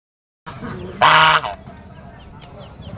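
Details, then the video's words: A domestic white goose gives one loud, harsh, nasal honk lasting about half a second, followed by quieter background noise. "suara angsa putih"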